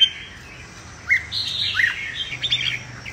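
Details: Red-whiskered bulbul singing combatively for training; a faint whistled note opens, then after a pause come two swooping upslurred whistles followed by a jumbled warbling run of bright notes.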